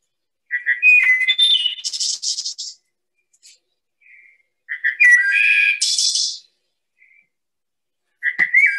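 Wood Thrush song: flute-like phrases, each opening with soft low notes, rising into a clear fluted middle and ending in a shimmering high trill, repeated every few seconds.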